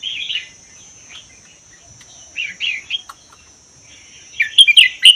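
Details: Red-whiskered bulbul from Vietnam–Laos forests, kept one year, singing to stir other caged bulbuls: scattered warbled phrases building to a loud burst of quick chirpy notes at the end, over a constant thin high tone.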